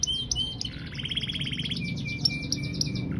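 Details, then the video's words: Canary in a long-duration song bout: rapid rolling trills and sharp high chirps, shifting between bright whistled pitches, over a steady low rumbling background noise. "KICAU KENARI DURASI PANJANG"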